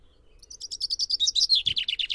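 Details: Common chaffinch song, close and clear: a rapid run of sharp repeated notes that grows louder and steps downward in pitch, ending in a brisk rattling descent over a quiet background.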